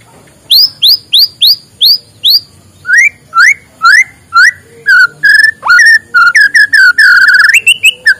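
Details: White-rumped shama singing in the morning, to stimulate lazy birds: a series of high whistled notes repeated steadily, changing into lower slurred whistles and ending in a dense varied warble.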